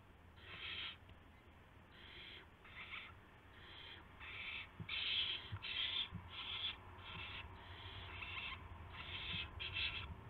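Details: At dawn on 26 March 2016, owls receive prey, a gopher and then a mouse. A long run of short, wheezy hisses starts quietly and grows louder and denser toward the middle.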